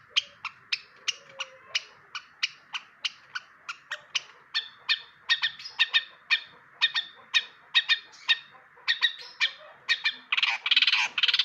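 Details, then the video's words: Long-tailed shrike giving sharp, dry clicking notes in a steady series, roughly two each second, speeding into a harsh, noisy burst at the end; a sound meant for other birds to learn. "burung cendet pastol rawatan kawan belajar bunyi"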